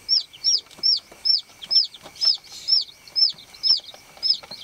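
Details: A baby chick peeping on a farm: loud, clear, high notes that rise then drop, repeated evenly about twice a second, with a faint steady hum beneath.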